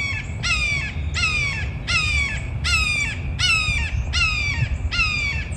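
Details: Red-shouldered hawk (Buteo lineatus) gives seven loud, ringing, slightly downslurred kee-ah screams, about one every three-quarters of a second, over a low rumble, a call used especially in breeding season or when defending territory.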